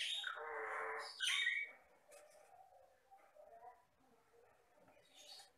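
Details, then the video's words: Jalak Batam myna, a vocal mimic from Riau, giving a loud, harsh, buzzy squawk lasting about a second, then a sharper rasping burst, followed by a few faint scratchy notes and quiet background. "MASTERAN BURUNG JALAK BATAM GACOR"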